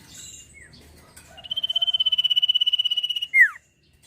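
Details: Sirpu song used to train songbirds: after faint chirps, a sustained, evenly pulsed high trill of almost two seconds, closed by a loud, quick descending slur.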